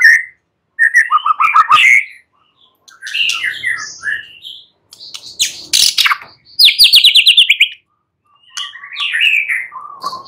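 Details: White-rumped shama singing at night, a lure meant to make another shama reply: energetic varied phrases of whistles, rapid trilled chip series and harsh buzzy notes, separated by short pauses.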